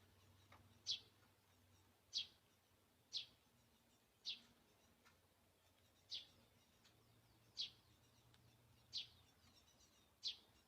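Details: Great spotted woodpecker in a wildlife garden with bird feeding, giving eight clipped, high single calls about every second, fairly quiet, over a low rumbling background hum.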